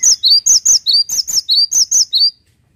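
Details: Cinereous tit in full song: a rapid string of about ten high, bright whistled notes, alternating between two pitches in clipped pairs, delivered over two seconds and then stopping.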